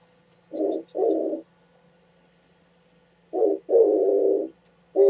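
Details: Oriental turtle dove recorded on 27 January 2017, giving low, hoarse cooing notes: two short coos, a pause of about two seconds, then a longer burst of coos, with faint high chirps above.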